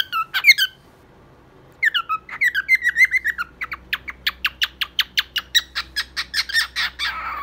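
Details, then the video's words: Cockatiel song indoors: a few warbled whistles, then a long even series of short sharp chirps repeated about three times per second. "Calopsita cantando ! cockatiel singing, beautiful bird! オカメインコの歌"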